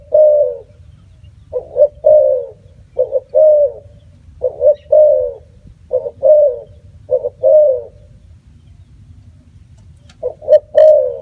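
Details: Spotted dove giving a long run of coos: about nine phrases of short doubled notes and a longer falling coo, roughly every 1.3 seconds, with a low continuous rumble underneath.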